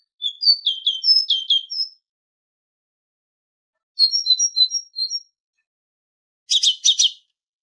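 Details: Goldfinch training recording of a tit: a tumbling phrase of high slurred whistles, then a steadier string of thin notes, ending with two harsh buzzy chattering bursts.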